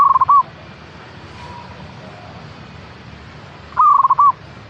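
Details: Local zebra dove, recorded to spur caged birds into song, gives two brief trilled cooing phrases of rapid, evenly spaced notes separated by about three seconds of quiet.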